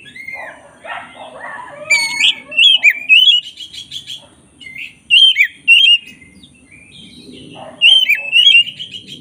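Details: Caged black-breasted white-rumped shama singing: soft warbling at first, then loud sharp harsh notes followed by clear whistled trills, repeated in bursts over a low rumbling background.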